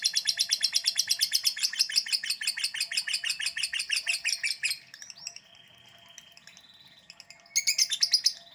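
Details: Lovebird in long ngekek delivery: several seconds of fast, scratchy repeated chatter, then a pause with a few thin tones before another loud burst of rattling notes.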